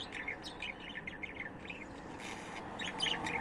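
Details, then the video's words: Budgerigar chirping: a run of quick, bright warbled chirps and short chattering notes throughout, some scratchy and squeaky, over a steady low background hiss. "Bird Chirping Sound"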